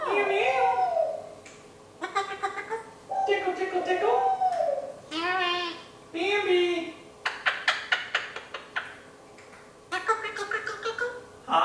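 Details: A one-year-old male Eclectus parrot, still developing his vocal pronunciation, imitates a hen with throaty, nasal clucks, some drawn out and wavering, others in quick stuttering bursts, in a quiet room.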